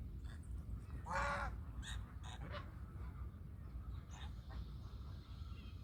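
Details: One strong nasal honk from a domestic goose, then a couple of fainter short calls, set against continuous low rumbling noise.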